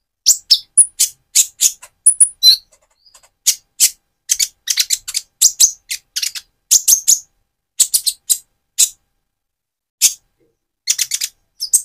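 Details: Van Hasselt's sunbird in gaily chattering song meant to provoke another bird: a steady stream of very high, sharp, clipped chirps, roughly evenly spaced, with an occasional thin whistled note.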